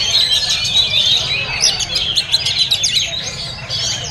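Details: Singing oriental magpie-robin in a cage at a bird market: fast, jumbled high whistles and sharp upward-flicked notes packed closely together over a constant hum of market background sound.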